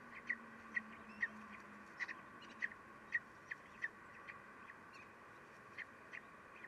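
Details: Common kestrels at a nest in May, holding newly hatched young, during feeding at 12:45 as the male steals food; short sharp calls repeat roughly every half second, then grow sparse, over a steady low electrical hum.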